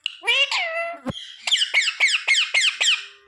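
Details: Parrot mimicking human words, said to say sita-ram and jay shree ram, in a small room: a drawn-out harmonic phrase, a sharp click, then six evenly spaced bright chirped syllables.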